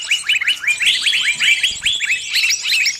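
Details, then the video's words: A trapped bird's call for help from its friends, a run of evenly spaced rising chirps over a faint high twittering background. "Suara burung kejepit & mintatolong ke teman teman nya"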